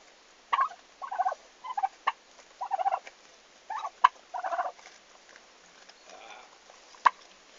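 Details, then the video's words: On their first day at the farm, 11 August 2015, turkeys give a string of choppy gobbling bursts over four seconds, followed by quieter murmurs and occasional sharp clicks. "Meie talu esimesed kalkunid"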